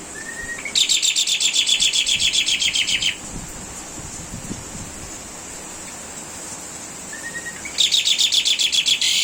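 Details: Asian pied starling master song for cage-bird training, tembakan burst: a short thin whistle leads into fast, regular rasping chatter lasting over two seconds, a long quiet gap with faint background noise, then the chatter resumes.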